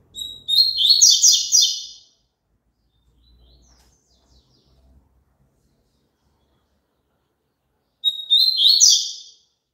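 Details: Two high, buzzy song phrases from a double-collared seedeater, each starting with a thin whistle and breaking into quick tumbling chirps, separated by about six seconds of near silence with faint low rumbles. Played for caged birds to sing along.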